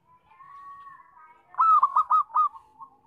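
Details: Local zebra dove, loud song of a type used as a lure for trapping: a soft drawn-out coo leads into four loud, rapid, clipped cooing notes in quick succession.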